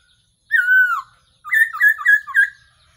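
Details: Black-throated laughingthrush, recorded as a decoy call for trapping: one long, loud, rich whistle that slurs downward, followed by a quick stuttering run of four or five short whistled notes.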